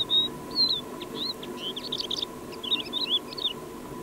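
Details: Harmonious song of a Crested lark sitting on a dry-stone wall in Alta Murgia National Park: clear whistled slurs mixed with fast chattering note clusters, delivered in quick bursts over a constant low background hum.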